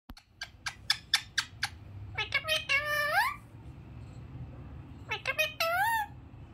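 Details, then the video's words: A pair of rose-ringed parakeets give sharp, clicky chips in a quick series, then bursts of harsh, rising squawks, with low room noise behind. "Ringneck cute Parrots pair"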